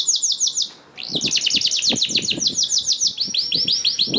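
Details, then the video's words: Canary lure song meant to get other canaries singing: rapid repeated arched high notes, a brief break, then a dense trill over soft low knocking sounds. "PANCINGAN KENARI 1 MENIT MENDENGARKAN SUARA KENARI DIJAMIN KENARI IKUT BUNYI"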